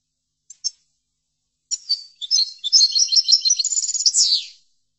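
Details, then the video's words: Two short high chips, a pause, then a lively European goldfinch phrase building into dense twittering and trills before closing with a downward slur, for goldfinch song training. "لتحفيض الحسون chordonier"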